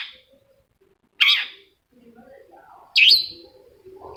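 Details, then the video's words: Lure song of the long-tailed shrike, or cendet, meant to make a quiet bird answer. Two loud, grating notes stand well apart, with faint lower twittering between them. "PANCINGAN CENDET MALAS BUNYI SEKETIKA CENDET LAIN LANGSUNG NYAUT!!! | Singing of shrike bird"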